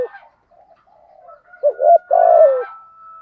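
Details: Spotted dove decoy calling in the thổ voice style to draw wild doves into answering; faint low murmurs lead into a short coo and a long, slightly falling coo, with a thin steady whistle tone in the background.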